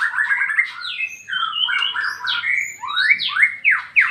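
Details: White-rumped shama singing in the loud ngeplong style: a rapid run of clear whistled notes sliding up and down, then bold steeply falling and rising slurred whistles toward the end.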